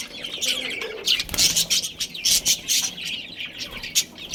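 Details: Budgerigars of a colony, a breeding pair among them, giving fast high chirps and scratchy squawks in short loud pulses, several birds calling over each other.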